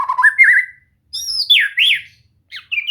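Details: White-rumped shama kept for song training, singing loud sweeping whistles that warble up and down, then high gliding notes and short slurred phrases separated by brief silences.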